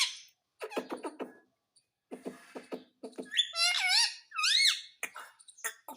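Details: Pet parrot in India mimicking Hindi words such as "mummy", indoors; several short clicks and squeaks first, then two loud whistled, wavering syllables that rise and fall, followed by softer chatter.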